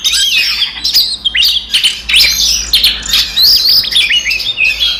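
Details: Oriental magpie-robin giving a fast, energetic fighting song used to provoke other magpie-robins into an emotional response: a nonstop stream of high whistles, sharp chirps and scratchy buzzy notes, sliding up and down with brief pauses.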